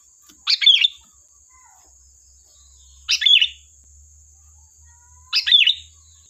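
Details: Sooty-headed bulbul singing as a lure, giving three brief bubbly, chortling phrases about two and a half seconds apart, each with a clear whistled centre, over a faint continuous high whine and low rumble.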